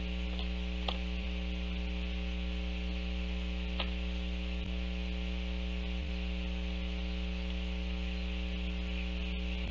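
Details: Steady electrical hum with static and occasional soft clicks, without any animal voice.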